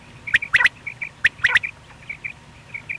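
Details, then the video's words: Batair, a lone male quail heard in the morning or at night during hunting, giving crisp, high, clipped chirps, some paired or tripled in fast succession, with softer single notes trailing off between them. "Batair ki single awaz single male Quil beautiful sounds morning and night hunting بٹیر کی سنگل آواز"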